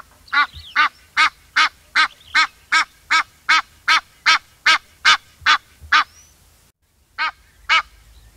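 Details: Egyptian goose giving a steady series of about fourteen harsh, nasal honks, roughly two to three per second, then a short pause and two more honks; no other clear sounds.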